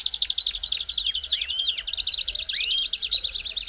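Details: Belgian canary warming-up song with quick slurred whistles leading into a rapid, even trill of high buzzy pulses, lively and unbroken, over a soft low hum.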